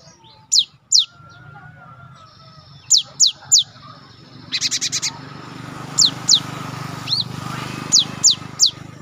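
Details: A Java sparrow, a songbird kept in Indonesia and used to train and stimulate other birds, gives scattered sharp high chirps in pairs and triplets, with a buzzy trill near the middle, over a steady background hum and a faint whistled tone.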